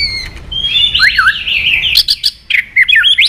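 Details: Rapid tumbling phrases of warbled, rising and falling whistles, fast and continuous, from a White-rumped shama singing to provoke aggression.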